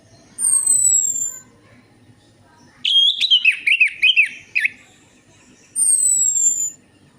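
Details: A lure recording of orange-headed thrush song: thin, high, falling whistles bracket a rapid string of jerky, scratchy whistled notes that tumble downward in pitch.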